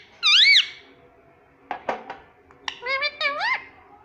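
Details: Talking pet ringneck parakeet said to repeat "mummy papa": a loud arching harmonic note, quiet clicks and short bursts, then two more rising-falling tonal syllables close together.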